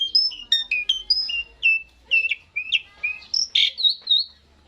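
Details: Asian pied starling song played to make birds sing along: a series of separate whistled notes jumping up and down in pitch, about two per second, with one loud harsh burst near the end.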